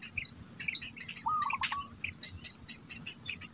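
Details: At a Black bittern nest, an adult holds food for its young; one rapid broken trill is heard, surrounded by sharp high chips and an unbroken shrill insect tone.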